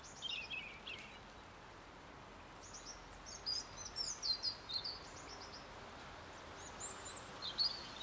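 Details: European serin (Serinus serinus) at the Ljubljana Botanical Garden, 18 January 2023, giving thin, high twittering chirps in short bursts every second or so, over a steady background hiss.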